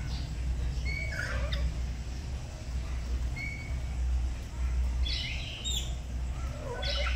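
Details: Two pet black-capped lories kept at home, duetting in the morning while learning to sing: short level whistles, then a burst of harsher, rasping notes near the end, over a steady low hum.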